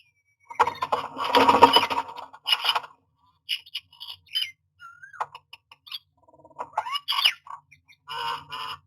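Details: Myna at its nest box, nesting season, 09-06-2022: a rough, noisy burst opens, followed by scattered clicks, a short bending whistle, rising slurred notes and a final pair of buzzy, rattling calls.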